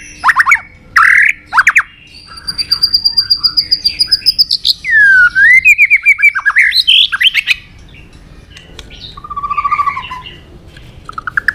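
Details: White-rumped shama giving its fighting song, meant to rouse birds and train their voices: loud chips, a long rapid clicking series, swooping whistles and buzzy phrases, then softer scattered notes and a falling trill.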